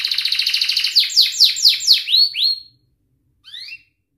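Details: Young-canary tutor song with ngerik and cuit-cuit phrases. A rapid buzzy roll leads into five or six loud falling sweeps, then rising whistles. A faint two-note chirp follows after a short silence.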